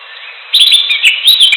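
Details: Greater green leafbird in natural surroundings, singing a bright, fast warbled phrase of high sliding whistles and chirps that starts after half a second and continues without pause to the end.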